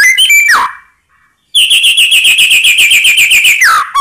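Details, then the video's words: White-rumped shama song to provoke rivals: a quick falling whistle, a pause, then a rapid steady trill of high buzzy notes ending in a downward slide. "Ampuh Buat Murai Lain Terpancing Emosi Seketika Insyallah Langsung Nyaut"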